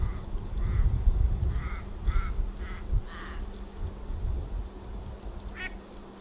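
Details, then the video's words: Pacific black duck with ducklings: a run of six short, nasal, harmonic calls over the first three and a half seconds, then one thin, higher peep near the end, over steady low wind rumble. "Pacific Black Duck call"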